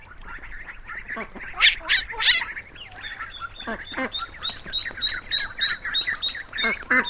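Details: Several ducklings peep rapidly, high thin cheeps repeated about three times a second, with a few louder, harsher squawking notes near the start over a steady low background hum.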